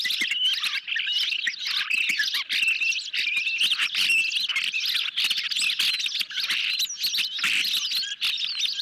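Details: Nest-camera sound of hungry ospreys during a July 2021 evening feeding of a medium-sized fish; continuous high, insistent chirping from several birds with hardly a break.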